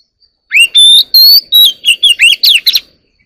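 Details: Caged Oriental magpie-robin singing in the early morning, delivering a fast string of loud whistles, rising and falling slurs and short trills in about two and a half seconds, with no other sounds heard.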